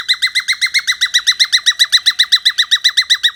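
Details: Rapid, regular run of harmonic chirps from a cockatiel, roughly four notes a second, each a short downward-curving yelp, uniform in loudness from start to end.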